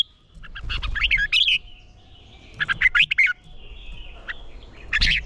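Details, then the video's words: Red-whiskered bulbul singing for competition training: two rapid clusters of shrill chattering whistles about two seconds apart, a lone note, then a final burst, with a faint rumbling background. "Chào Mào Ché Kích Chim Nhanh Sung Lửa - Chào Mào Hót | Thúc Chim Sổ Giọng | Luyện Chào Mào Hót Đấu"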